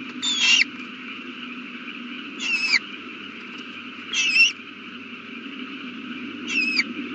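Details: Owl at a nest holding a freshly hatched chick, evening of April 18, 2019: four rasping, hissy screeches, each about half a second long and roughly two seconds apart, over a steady hum.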